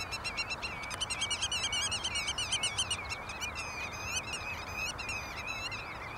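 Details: Black-tailed godwits (Limosa limosa) in the Bergerden greenhouse area, Gelderland, Netherlands, on 24 March 2011. They call in a busy, overlapping flurry of high, nasal, wavering notes, rising and falling rapidly, over a steady background hum.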